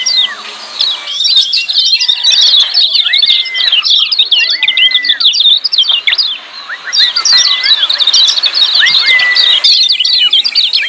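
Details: Lemon-bellied white-eyes giving a noisy, busy 'ciak' chatter used as training audio to prompt silent birds to sing: dense high twittering chirps with long, level whistled notes slurring down at their ends.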